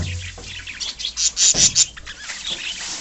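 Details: A colony of pet budgerigars chirping: dense, high twittering calls cluster in the middle, with loud bright chirps and a scratchy chatter fading out toward the end.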